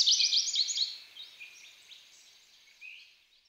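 An American goldfinch sings a quick burst of high, bright twitters and warbles that tails off into softer, scattered chirps.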